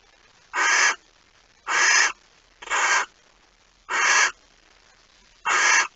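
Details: Five short, harsh, breathy screeches from a barn owl at its nest, spaced about a second apart. Recorded at 05:14 on 26 August 2019 as a mouse arrives.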